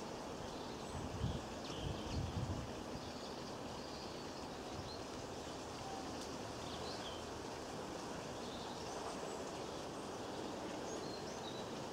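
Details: A steady low rumble and broad hiss, like a train passing, with no clear animal voice.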